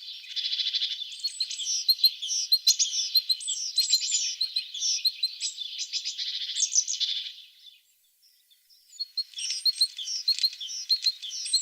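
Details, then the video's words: A singing tit gives a dense stream of high, rapid twittering notes for about seven seconds, falls silent briefly, then resumes the busy chatter. "The sound of a tit singing"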